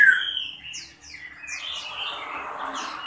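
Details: Caged Chinese hwamei in song during a wing-spreading display: a short whistle, then quick high upslurred chirps over a softer, blurred warbling background.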